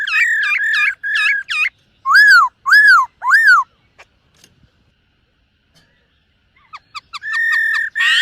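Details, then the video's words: Black-throated laughingthrush singing during morning voice training: quick looping whistled notes, three loud arched whistles, a quiet gap, then fast clicks leading into long level whistles. "Khướu BẠC MÁ hót MÚA luyện giọng . Khướu hót sáng luyện giọng kích bổi"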